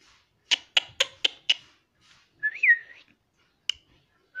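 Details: Pet talking parrot indoors, said to say "Mummy": a rapid burst of five sharp clicks, then a rising-and-falling whistled note with a looping contour, followed by a single click and the start of another whistle.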